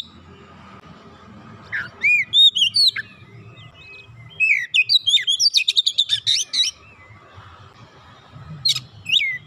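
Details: Kacer, the Oriental magpie-robin, singing to coax a silent bird into song: bursts of rising and falling whistles alternating with rapid sharp chip series, separated by quiet gaps over faint low hum.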